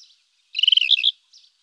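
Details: Rufous-tailed scrub robin giving a single brief song phrase: a quick rattling series of even notes followed by two louder, clearer whistled notes, then silence.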